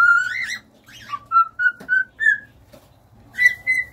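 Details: Cockatiels singing: a chain of clear whistled notes, some sliding upward, some held steady, in short phrases of about half a second, ending on a longer steady whistle.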